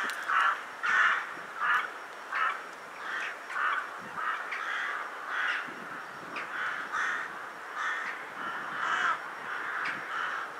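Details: Rooks gathering in winter at Ottakring cemetery in Vienna shortly before dusk, where about 150,000 arrive each winter; harsh cawing from many birds, loud bursts roughly every half second overlapping into a restless chorus.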